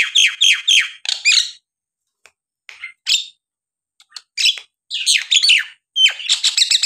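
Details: Lure song of a Nias hill myna for untrained or silent birds: irregular mix of harsh squawks and sharp downslurred notes with gaps, building to dense buzzy chatter at the end.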